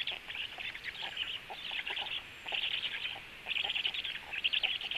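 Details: Black stork storklets being fed frogs by the female at the nest; bursts of rapid, raspy chatter alternate with quieter pauses.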